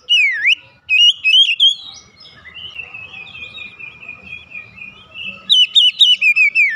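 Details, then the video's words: Clear V-shaped whistles from an Oriental magpie-robin, followed by a long, steady, buzzy trill, then a fast series of loud, repeated sharp whistled notes at the end. "memancing Kacer cepat ngeplong gacor"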